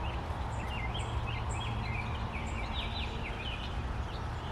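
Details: Four baby robins wait for their parents to return with food. They give short, high, squeaky begging notes in repeated bursts throughout, over a constant low rumbling background noise.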